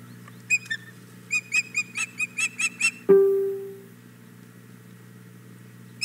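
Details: Female osprey at the Hog Island Boathouse nest, 4 May 2017, morning, begging for the male's fish: a quickening series of bright whistled chirps, then a sudden loud ringing clang that fades slowly.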